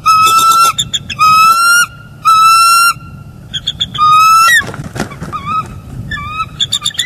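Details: Wild pair of bald eagles at their nest in northeast Florida on an early January morning, filmed by a live nest cam. The female calls, then the male arrives to take over incubating the eggs. They trade loud, high, piping chatters in rapid bursts, with a rushing background.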